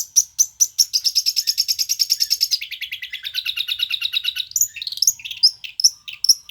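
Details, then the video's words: Long-tailed shrike from Banyuwangi: a few sharp chirps lead into a fast, rattling trill that drops in pitch, then varied squeaky and harsh notes. "Burung cendet banyuwangi memang mantap"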